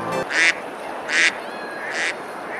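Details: Ducks on a river at Besalú, Girona, Spain, on a summer day, eating and splashing; three loud, harsh, buzzy quacks about every 0.8 seconds over steady rushing water, with a brief tonal sound at the start.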